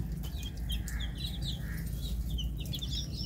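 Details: Several colourful chicks peep at feeding time in quick, high, overlapping chirps, some rising and some falling, over a steady low rumble.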